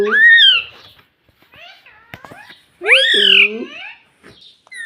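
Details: A talking pet ring-necked parakeet mimics speech such as 'mummy' in a small room. Two loud, voice-like, harmonic phrases are separated by soft clicks and faint murmurs.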